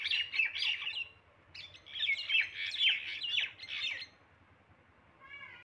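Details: Common myna, or shalik, from India, producing rapid harsh chattering and squeaky notes in two bursts separated by a short pause, with a faint thin call near the end.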